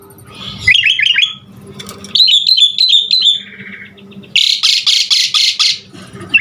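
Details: Asian pied starling song used to prompt caged birds to sing: a row of quick falling whistled notes, a warbling whistled run, a short buzzy trill, then loud rasping bursts repeated rapidly.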